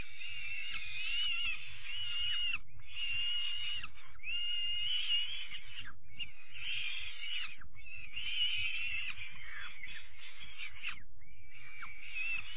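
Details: Young peregrine falcon chicks being fed their evening meal on 5 May 2021; repeated harsh, wheezy screeching calls in bursts of about one to two seconds with short gaps, over a steady low rumble of background noise.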